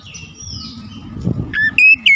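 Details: Oriental magpie-robin lure song meant to set birds singing and show off imitations: a low rumble of background noise, then loud, clipped whistled notes rising and falling in the last half second.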